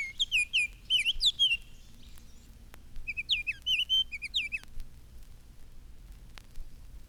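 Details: In spring, one of several Baltimore orioles sings overhead under elms while their mates build hanging nests over a roadway. It gives two bursts of loud, clear, flute-like whistles slurring up and down, likened to "Here, dear, come right here and see what I wear"; Baltimore Oriole.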